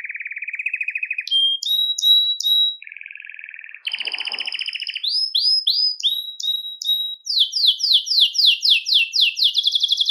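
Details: Belgian canary song used to stimulate males and ready females for breeding: a varied sequence of fast trills, short whistled notes and a low buzzy roll, then a run of sharp descending notes repeated steadily, recorded cleanly.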